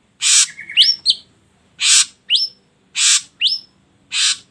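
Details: Ashy drongo song, intended to prompt other birds to sing: harsh hissing notes alternate with short rising whistles in a steady back-and-forth about once a second.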